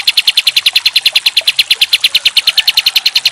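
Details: Pied triller singing in the kapas tembak style, used as a tutor recording for other songbirds: a rapid, steady string of bright, high chips, close to eight per second, unbroken throughout.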